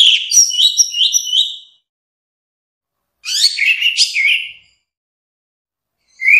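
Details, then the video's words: Song of an orange-headed thrush, used to tutor songbirds: short bursts of fluty, slurred whistles mixed with rapid chirps, about one and a half seconds each, spaced by quiet gaps, in a clean recording. "Kumpulan suara istimewa Burung Anis Merah"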